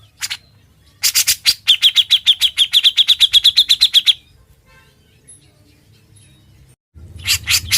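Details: Grey-cheeked bulbul in full, energetic song in the rolling ngebren style: after a few sharp notes comes a fast, even rattle of high notes, about a dozen per second, for three seconds. A pause follows, then more harsh notes.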